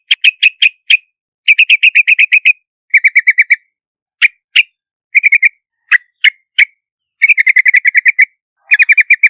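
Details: Yellow-vented bulbul lure recording with runs of quick, even chirps broken by lone clipped notes. Some runs sit slightly lower and flatter in pitch. No other sound is heard.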